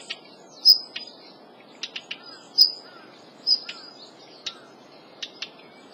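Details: Several high, thin whistles from a Daurian redstart mixed with short hard ticking notes, some clicks in close pairs, repeated irregularly over six seconds.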